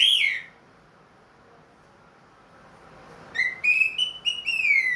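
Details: Orange-headed thrush kept in a cage, ringed and back to regular singing after moulting. A falling whistle opens the clip, then after a silent gap comes a run of clear, slightly wavering whistled phrases.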